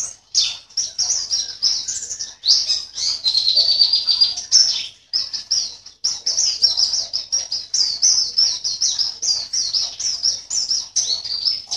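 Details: Caged Javan white-eye from Sambas, West Kalimantan, performing in an online singing competition: continuous high, rapid twittering song of quick chirps and warbled trills, with short breaks between bursts.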